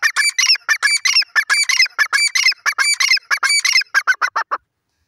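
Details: Grey francolin, known locally as teetar, giving a loud, continuous series of harsh, nasal, ringing notes in quick succession. The series slows and fades near the end.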